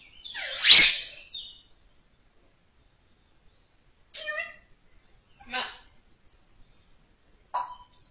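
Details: African grey parrot talking: one loud, high, breathy speech-like burst, then after a long pause three brief, quieter chirpy syllables spaced out over several seconds.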